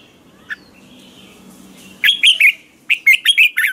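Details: Red-whiskered bulbul morning ché song, used as a lure for training: one soft note, then two quick volleys of four to five loud, warbled whistles dipping and rising.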